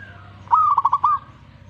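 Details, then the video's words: Zebra dove answering a master recording with a single short cooing phrase: a clear upslurred opening note, then a rapid burst of five rolling, bubbling notes, over a faint low rumble. "Langsung reaksi buat masteran perkutut"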